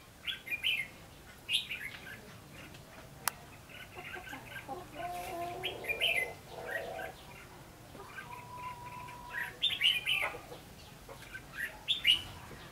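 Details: Red-whiskered bulbul fighting song during trapping with a decoy bird in Phú Thọ, Vietnam, on 3 January 2016: short warbled, whistled phrases scattered across the recording, with a low steady hum and faint background noise.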